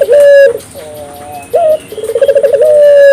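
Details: African collared dove calling actively, played to stimulate local doves to call; a long steady low coo, a short rising note, then a rapid rolling purr ending in a held tone, with faint higher chirps behind.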